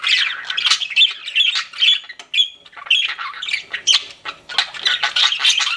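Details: Pet budgies chatter with scratchy squawks mixed with short whistled notes and clicks, in bursts separated by brief gaps.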